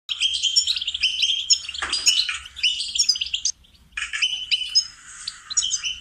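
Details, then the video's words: Goldfinch song used for training songbirds: a fast, dense twittering of high tinkling notes and buzzy trills, broken by a short pause before resuming. "Training and cultivating melodies singing lessons for goldfinches"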